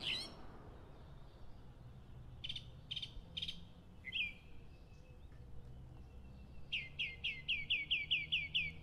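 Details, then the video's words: Mockingbird singing before dawn, opening with a few scattered whistled notes and short buzzy bursts, then building into a brisk series of about ten repeated upswept chirps near the end. "Som de pássaro zombeteiro cantando madrugada"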